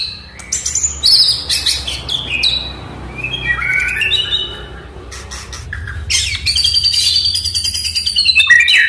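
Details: Oriental magpie-robin song, played to prompt a silent pet bird to sing: varied clear whistled notes and slurred rising phrases broken by loud harsh buzzy bursts, some high metallic notes near the end.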